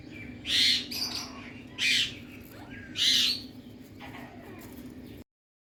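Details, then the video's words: Indian talking parrot, happy mood, uttering three loud raspy squawks roughly one second apart over low room noise, then quiet. "Indian Talking Parrot"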